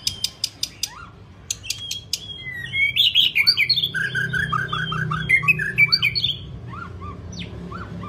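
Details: White-rumped shama singing long varied phrases as a training recording: sharp clicking ticks first, then a loud rich stream of whistled, warbled notes rapidly changing pitch, ending with scattered slurred whistles.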